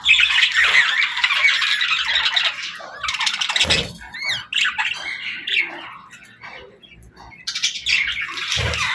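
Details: Playing parakeets give loud warbling squawks at first. Then come sparser rising and falling chirps with quieter gaps, before the busy chatter returns at the end.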